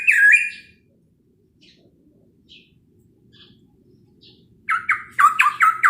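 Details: Chinese hwamei in the morning, its song used to provoke other birds: a loud whistled phrase, nearly a second of near silence with faint soft notes, then a burst of rapid bright repeated whistles.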